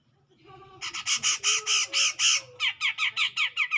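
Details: Grey-cheeked bulbul taunting a rival with loud, harsh, grating notes about three per second, then quicker shorter downslurred notes in a quickening run.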